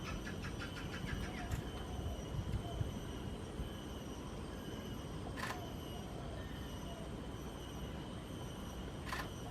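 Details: Steady low rumble of passing vehicles with a few sharp clicks and no animal calls.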